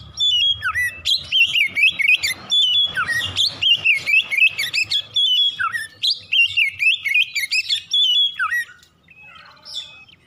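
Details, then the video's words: Oriental magpie-robin pouring out a long morning ngropel song: rapid strings of loud, varied whistled phrases with harsh, scratchy notes and dips, pausing near the end for a few soft chirps. "PANCINGAN KACER PAGI HARI CEPAT NGROPEL BUKA PARUH"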